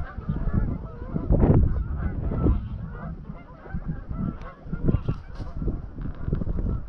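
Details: At dusk on Anglesey, a flock of about 200-300 greylag geese flies from their grazing field to Llyn Maelog near Llanfaelog. Scattered honks rise and fall, partly buried under strong gusting wind rumble.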